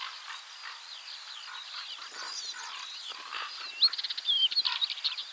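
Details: Northern wheatear with soft scratchy twittering at first, then a louder rapid rattle of clicking notes and a clear thin whistle near the end.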